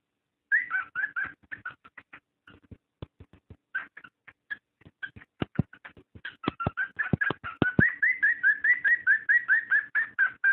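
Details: Cockatiel mating call to encourage breeding: whistled chirps with sharp clicking taps in the middle, then a steady, louder run of rising whistled notes to the end.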